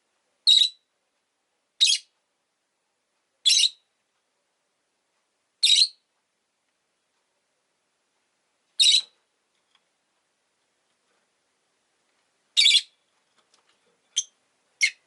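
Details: A pair of pet rosy-faced lovebirds packed together at an entrance call repeatedly: about nine short, harsh, buzzy chirps at uneven intervals of one to four seconds, the last few shorter and quicker.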